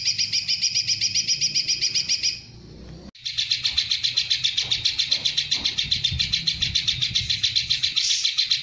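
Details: A greater green leafbird (Chloropsis sonnerati) pours out a long, high, chattering song burst of rapid notes, about four per second, with one brief break, over a faint low hum.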